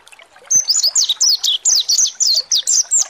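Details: Mountain white-eye (pleci monty) song used as a lure to provoke other birds into singing: a rapid run of high, clear, descending whistled notes, about a dozen in three seconds, sharp and evenly spaced.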